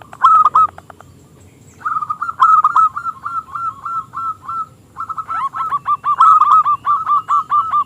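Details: Local zebra dove with a small crystal voice singing to lure rival doves into song. A loud opening note, then two long runs of quick, evenly spaced rolling coos, each run ending in emphatic ringing notes.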